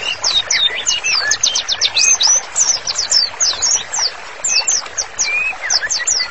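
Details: Master song of a white-rumped shama for training: fast stream of high, sharp slurred notes and whistles, jumbled and nearly continuous, with a few lower rising whistles between.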